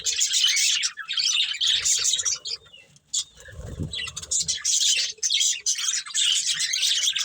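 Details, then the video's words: Budgie breeding pair chattering in bursts of high, rasping twitter, broken by a quieter gap with a soft low rustle before the lively chirping returns. "Cute Budgies Chirping Sounds"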